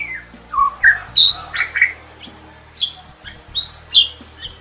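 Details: Starling song for tutoring cage birds: scattered, varied notes, dipping whistles, sharp high squeaks and quick downward slurs separated by brief gaps, with a faint background hum.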